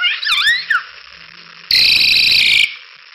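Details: Song of a crested myna recorded as training material for other cage birds: wavering, looping high whistles, a pause, then a loud, harsh, rasping burst lasting nearly a second.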